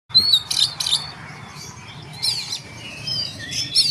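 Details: Oriental magpie-robin singing in the tembakan style: sharp, high, buzzy bursts and thin whistled phrases in quick, uneven clusters, with a low hum underneath.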